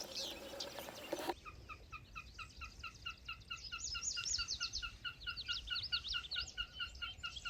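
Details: Wilson's Snipe on a June morning in Michigan's Upper Peninsula, flying up and displaying, gives a fast, even series of clipped, mid-pitched notes about two per second, with higher chattering from other birds above it after a brief rustle at the start.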